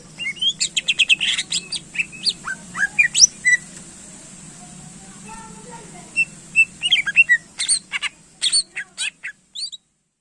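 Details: Greater green leafbird (cucak ijo), song played to excite contest birds; loud rapid bursts of sharp chips, squeaks and whistled slurs, some rising and falling, in fast clustered phrases with short pauses, over a steady low hum.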